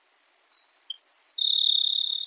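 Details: Grassland sparrow singing: a few thin, very high introductory notes at varied pitches, followed by a long, even, insect-like buzzy trill lasting nearly a second, with no other sounds.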